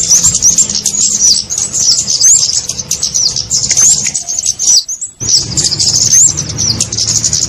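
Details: Trapping lure call for the kemade, a small bird: busy stream of shrill chirps and quick rising whistles, broken by one brief silence near the end before the twittering resumes.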